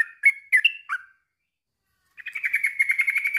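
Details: Yellow-vented bulbul song used as therapy to get silent bulbuls singing: a few bubbly, liquid notes, a pause, then a fast run of chattering notes.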